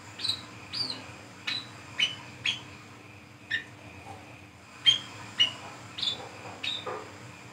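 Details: Brown-throated sunbird at night in the forest, singing lively 'ngriwik ngeplong' notes used to lure birds: rapid bursts of high, thin, down-slurred chips, clustered in quick pairs with a short pause midway, faint hum behind.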